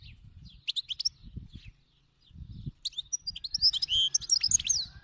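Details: Singing 'khalawi' (wild) European goldfinch, delivering quick liquid twitters and sharp high chirps in short bursts that grow denser and more continuous, over low background thumps and rumble.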